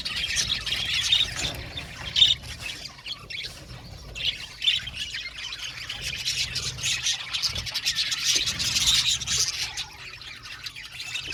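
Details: Colony of budgies in an aviary: a constant high chattering warble, punctuated by a few louder sharp squawks spaced several seconds apart.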